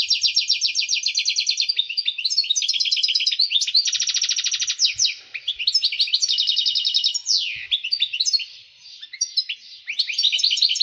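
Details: Excited European goldfinch song to stimulate mating and breeding. It runs as long runs of rapid ticking trills and buzzy rattles, interleaved with sweeping slurred notes and a brief quieter gap late on.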